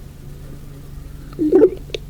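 A raven gives one short, nasal, mid-pitched call with a slight wavering, followed by a faint click, over a low steady hum.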